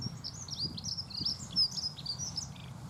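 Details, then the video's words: A Dunnock sings a pleasant, quick, high, squeaky warble of jumbled notes running without pause for about three seconds, over a low background rumble. "L' AGREABLE BRUIT DE L' ACCENTEUR MOUCHET"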